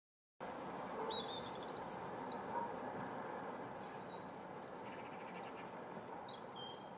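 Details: European robin at Cornimont, Vosges, France, on 22 February 2021, giving scattered high, thin, quick notes and short twittering phrases over a steady rushing background noise.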